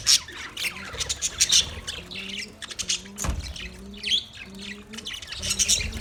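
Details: High parrot chirping recorded 20 November 2023, scratchy twitters in clusters, with a soft low repeated cooing from another bird beneath.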